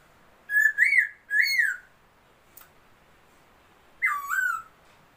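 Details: Laughingthrush song, new bird, 27 February 2022: three loud arched whistles in quick succession, a faint click, then after a long pause a single full whistle dipping downward and levelling out.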